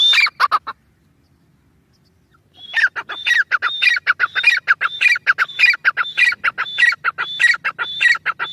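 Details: A short burst of loud grating notes from a grey francolin (Irani teetar), then near silence for two seconds, then a long run of harsh whistled phrases repeated rapidly and regularly.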